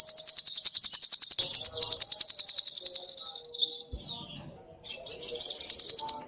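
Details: Lively song of the little spiderhunter, known locally as sogoh ontong, meant as tutor song for caged birds: long rapid trills of high piercing chips, a brief slurred whistle and a pause, then the trill resumes.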